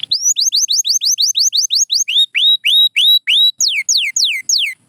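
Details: Pure white canary runs through rolling tours: a quick series of rising high notes, then a slower run of upswept whistles, ending with a sequence of steep descending slurs.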